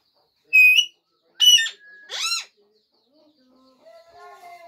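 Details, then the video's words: Alexandrine parakeet watching a mobile phone and talking: three loud, harsh, harmonic squawk-like utterances in the first two and a half seconds, the first high and flat, the next two arched, followed by faint quiet tonal sounds. "Alexanderine Parrot watching mobile and talking"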